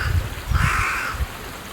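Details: A Carrion Crow, which finds and hides food and calls now and then, gives a single low, harsh, hoarse caw lasting under a second, over a steady low rumble of wind or distant noise.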